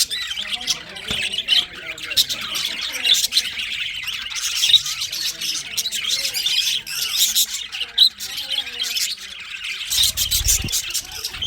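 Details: Many budgerigars twitter continuously in winter, a rasping high chatter with scattered louder squawks and a short low thump toward the end.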